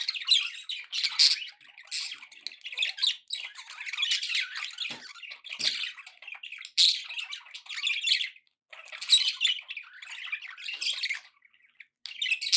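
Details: Pet budgerigars in a happy mood give continuous scratchy, warbling chatter broken into uneven bursts, with sharp squeaks and brief lulls, mostly high-pitched.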